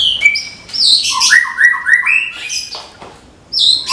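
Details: Caged Medan white-rumped shama in 'tembakan' song style, said ready for contest: clear whistled phrases sliding down and up, a run of short rising slurred notes, then a bright high burst at the end.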